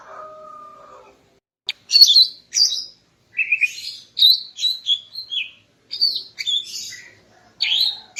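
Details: Female greater green leafbird's morning song meant to arouse the male; a steady tone opens, then quick whistled phrases and sharp upslurred chirps follow with short pauses.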